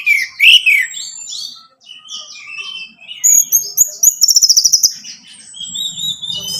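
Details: Orange-headed thrush song played so a caged bird will sing: a loud opening warble, thin high whistles, then a quick rattling trill of repeated notes, with faint low background hum.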